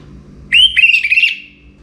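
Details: Orange-headed thrush (anis merah) singing toward morning, kept bird used to prompt other birds to sing; one clear whistled phrase, a rising note then a warbled run of sweet whistles held level, ending abruptly.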